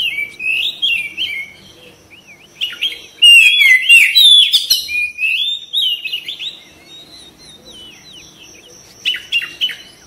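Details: Kacer, the Oriental magpie-robin, in a recording meant to make birds sing and spread their tails: soft warbles build to loud rapid whistles and chatter, then fade, with a final short burst.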